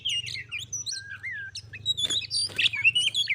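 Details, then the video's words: Oriental magpie-robin, a pet bird visited by a wild one, in a singing duel that turns into a fight; loud, varied whistled song of rising and falling slurred notes and sharp chirps, over a low steady hum. "Kacer _adu suara sampai jadi bertarung/fight Cok"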